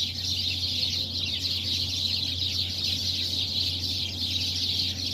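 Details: Dense chattering of many birds roosting in one tree at early dawn, a steady wall of high squeaky chirps throughout, accompanied by a faint low mechanical drone.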